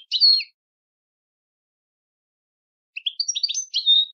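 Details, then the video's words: Brief liquid twitter from a European goldfinch, then a long silence before a second jumbled phrase of mixed chirrups and a clear whistled note at the end. "Melodic Marvels: The Captivating Songs of European Goldfinches"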